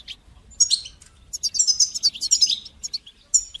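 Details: Goldfinch song of the batbata and satsata styles, used for training young goldfinches to sing. A brief high chirp opens, then comes a dense run of liquid, tinkling twitters, closing with a single sharp note.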